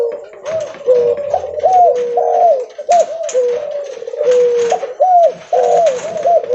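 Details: Spotted dove (derkuku leopard) calling loudly and vigorously on the move. Series of hollow, arched coos, some rising and some falling, come in close-packed phrases separated by brief gaps.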